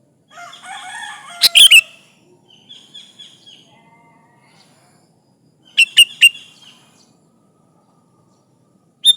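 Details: A sooty-headed bulbul calls out rivals with energetic song, a recording meant as a lure: one quick clicky phrase ending in a slurred whistle, a quiet gap with faint tonal murmurs, then the same phrase twice more.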